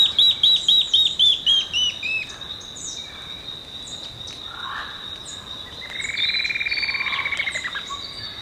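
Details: Olivaceous woodcreeper in Costa Rica giving a quick run of high, clipped downslurred notes that fades after two seconds, over constant insect buzzing; a lower rattling trill from another bird follows later.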